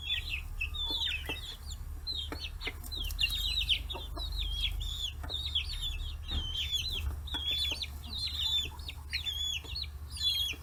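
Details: Flock of 40-day-old free-range chicks mobbing fish heads, Kitahiroshima, Japan: continuous high chirping from several birds at once, bursts of rapid peeps, frequent pecking knocks and a low background hum.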